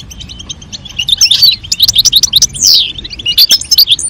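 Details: European goldfinch, the male singing to stimulate mating with a calling female: loud, rapid, twittering song of bright chirps and buzzy trills, with a drawn-out downslurred buzz midway.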